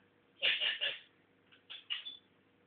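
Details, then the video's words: Captive African grey parrot, a pet still learning to talk, gives a quick run of three high, squeaky syllables, pauses, then adds three more. Faint low room hum runs underneath. "my talking african grey"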